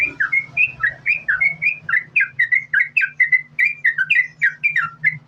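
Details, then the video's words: A yellow-vented bulbul sings its 'gacor' linked, non-stop song, used to provoke other bulbuls into singing: bright warbled whistles rising and dropping in quick succession, about one phrase per second, over a faint low hum. "Trucukan Gacor, Sambung Ropel,Ini Ampuh Buat Pancingan Trucukan Agar Bunyi"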